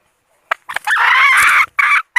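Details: A red junglefowl decoy hen calls to attract males. Two brief clicks come first, then one long, harsh, buzzy note and a shorter closing burst.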